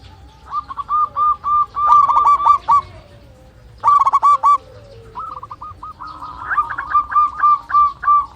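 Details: Local zebra dove with a big voice and long breath, singing to call a rival, used as a lure for birds that won't sing. Bursts of rapid cooing notes come in several phrases, separated by short quiet gaps.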